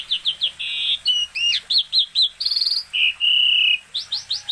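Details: Asian pied starling in full, vigorous song: rapid strings of short upslurred chirps, a long steady whistle, a fast stuttering trill and more quick chirps, all loud and clean.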